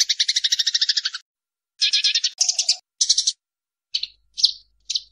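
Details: Eurasian tree sparrow in a fight, used for teaching caged songbirds: a long run of rapid harsh chirps, then shorter chattering bursts and a few single sharp notes.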